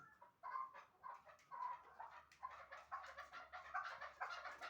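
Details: From Shahritus, two chukar partridges kept for hunting ('mastak') open with a few spaced clucks, then burst into faster, denser chuckling after the second second.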